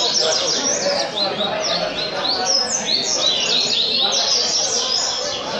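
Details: Double-collared seedeater (coleiro) of the Caveirinha song style from Rio Comprido, a captive singer. Fast, continuous run of high sweeping whistled notes and trills, with a voice urging it on just before and steady background noise.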